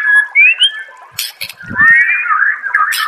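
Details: White-rumped shama master song for training caged birds: long sliding whistles rising and falling, broken by sharp clicks and a short low rumble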